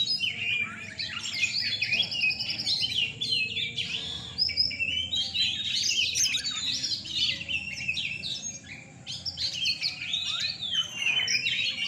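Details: Oriental magpie-robins (kacer) competing in a night singing contest in Surabaya, Indonesia, caged birds: a long run of rich, varied whistled phrases and fast trills, voices overlapping, with a low background hum.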